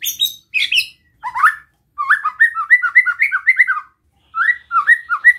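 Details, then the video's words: White-rumped shama singing a relaxed besetan-style song meant to provoke other shamas: high chipping notes, then a run of looping whistled phrases repeated rapidly, a short pause, and more slurred whistles. "Suara Besetan Santai Mancing Emosi Murai Lain | PANCINGAN MURAI BATU"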